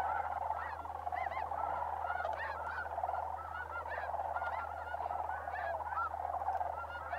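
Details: Sandhill cranes massed during December migration at Bosque del Apache Wildlife Refuge, New Mexico; a steady flock din with distinct arched, rolling calls repeatedly rising above the chorus every second or so.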